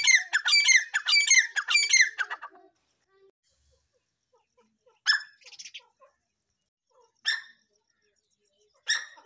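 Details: Black francolin giving a rapid burst of harsh, rattling pulses for over two seconds, then a pause and three more scattered single grating notes spaced about two seconds apart.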